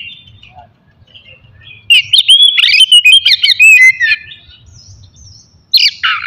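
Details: Oriental magpie-robin (kacer) sings in a morning session meant to provoke aggression and breeding urge: a two-second run of quick, clear whistles and slurred notes, with a short harsh burst near the end.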